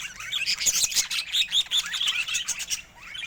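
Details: Pet budgerigars in a steady, busy warble, high chirps and scratchy twitters overlapping almost without pause.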